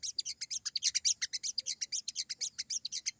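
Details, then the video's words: Sogon in full, lively song in wild style: rapid series of high, sharp chirps repeated about five to six times per second, steady and even, with a faint high electronic whine in the background. "burung sogon gacor banget!!bunyi sogon ngalas"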